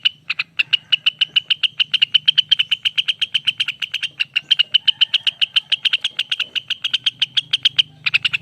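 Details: Long ropel song of a lesser green leafbird (cucak wilis, rengganis): fast, even, chipping notes repeated several times a second without pause, a short break near the end, then a quick burst, over a faint low hum.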